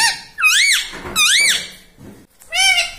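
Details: Pet ringneck parrot talking "mummy papa" indoors; two arched, high-pitched harmonic syllables followed by a third flatter one, clear and loud against a quiet room.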